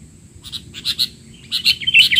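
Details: Sooty-headed bulbul giving a noisy, excited chatter, recorded for tutoring young bulbuls; short high chirps arrive in two clusters, with a clearer burst of sharp notes near the end.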